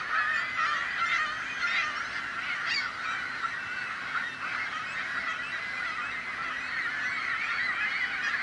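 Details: Seagulls calling noisily as a crowd: a dense din of overlapping harsh, wavering cries, steady throughout with a few louder bursts near the start and around three seconds.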